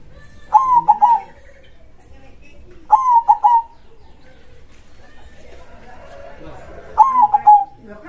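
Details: Zebra dove (perkutut), a local bird in full song, big-voiced krosing style: three separate cooing phrases, each a drawn opening note and two quick notes, spaced two to four seconds apart, with soft rustling between.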